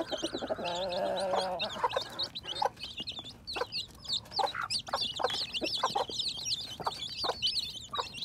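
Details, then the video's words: Newly hatching baby chicks in spring 2021 peep constantly in high, rapid, wavering cheeps, mixed with lower clucking notes and scattered knocks and rustles. "More baby chicks hatching"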